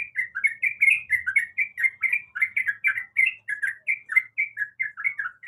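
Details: Female sooty-headed bulbul in breeding condition calling to the male: a rapid, steady stream of short bright chirps and slurred notes, several each second, with faint high ticks above.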